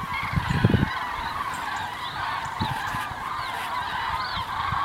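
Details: Flock of common cranes migrating south on 9 November 2014 as winter approaches: continuous overlapping trumpeting calls from many birds, a steady rolling chorus, with a few low thuds of wind or handling early on.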